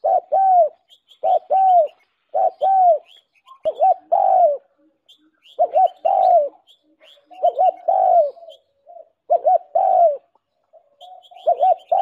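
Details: Spotted dove decoy call for attracting wild doves: paired short coos followed by a drawn-out falling coo, repeated in irregular bursts, with thin high twittering from other birds behind.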